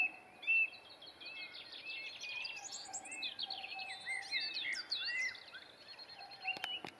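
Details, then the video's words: Birds singing at sunset: several high chirps and warbled phrases overlap, a steady lower whistled tone runs beneath, and a couple of sharp clicks come near the end. "birdsong sunset"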